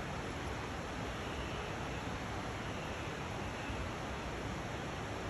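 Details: Steady, even broadband rushing noise, like wind or falling water, fills the whole recording with no animal calls heard.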